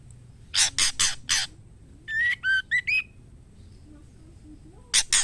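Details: Female white-rumped shama calling for a mate: four harsh raspy notes, then four clear whistled notes that fall and rise, then two more rasps at the end.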